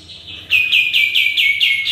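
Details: Sooty-headed bulbul in lively song, used as a lure: after a faint start, a loud rapid series of about seven clear, evenly spaced notes that slide gently downward, over a faint low hum.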